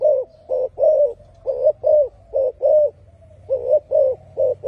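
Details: Low mellow cooing from a spotted dove, paired notes in quick succession with a brief gap and a soft drawn-out purr before the next pair, over a quiet low-pitched background hum.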